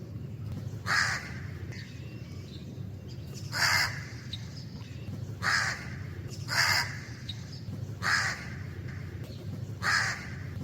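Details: A black crow cawing outdoors in its natural surroundings, giving six loud, raspy caws, some in quick pairs, separated by one to three seconds, with a constant low-pitched background hum.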